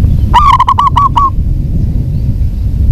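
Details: One brisk burst of about six clipped, hollow cooing notes from a local zebra dove, heard over fairly loud low-pitched rumbling background noise.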